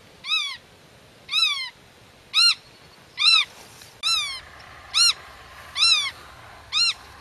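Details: Black-tailed godwit defending its nest and territory against intruders while talking with chicks hidden in the grass: eight nasal, arched calls rising then falling, each short and evenly spaced about one per second, over quiet background.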